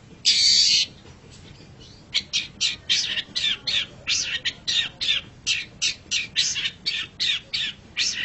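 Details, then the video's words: Long-tailed shrike (pentet or cendet) in a songbird training master recording: one loud harsh burst, a pause, then a long series of rasping, chattering notes repeated about three times a second. "Masteran Suara Pentet Cendet"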